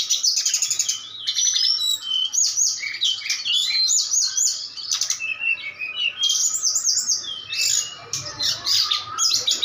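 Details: A brown-chested jungle flycatcher of Bali in a mental-training session against a mountain tledekan, beginning to fight back: fast, high, sweet whistled phrases almost without pause, a harsher buzzy burst at the start, and the other bird's song mixed in.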